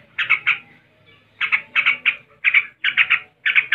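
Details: Yellow-vented bulbul ngebren song: short packets of three or four harsh, rapid notes, separated by brief silences, repeated through the clip.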